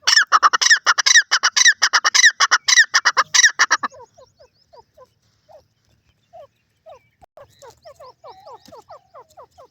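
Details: Francolin (teetar) calling: a loud, harsh, rapid series of grating notes for about four seconds, then a trail of faint, soft downslurred notes.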